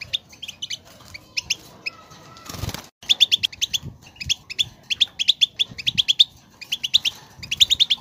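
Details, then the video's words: European goldfinch song meant to make a goldfinch sing: scattered high chirps, then a brief burst of wing flapping, followed by sharp repeated twittering notes in quick, rhythmic bursts. "10 Minutes To Make Your Goldfinch To Sing!"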